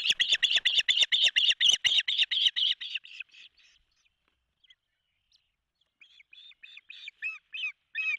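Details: Osprey pair at their nest in Charlo, Montana, in June 2024, the male arriving with a big fish while the female feeds three chicks; a loud rapid run of piercing chirps fades, then softer chirps return.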